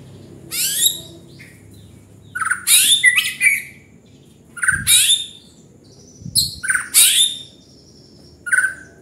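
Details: Gacor song of a white-rumped shama, loud varied phrases mixing high piercing whistles with lower rich warbles and harsh buzzy notes, a new phrase every second or two with brief gaps.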